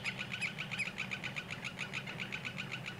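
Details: Common greenshank courtship before mating, a male displaying near its partner: a fast, unbroken run of bright, piping notes, steady in pitch, over a constant low drone from a nearby sawmill, late in the day before sunset.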